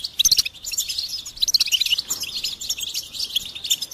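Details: Goldfinch giving a rapid, sparkling song of high chips, clear whistled notes and buzzy trills in quick succession.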